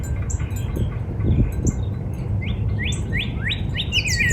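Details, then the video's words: Backyard spring recording of a northern cardinal: high chirps from other birds at first, then a building series of rising whistled slurs in the second half, ending with faster overlapping notes. "Real Natural Spring Cardinal Bird Sound"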